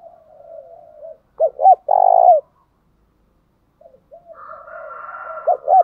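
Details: Spotted dove calling to stir another bird into song. One strong phrase of two quick coos and a drawn-out buzzy coo sits between softer, lower wavering coos from another dove, which overlap near the end.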